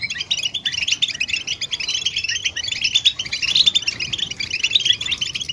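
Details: European goldfinch twittering and mating calls, used to stimulate silent males to sing: a dense, continuous stream of high, bright chirps and trills that overlap without pause, as from several birds.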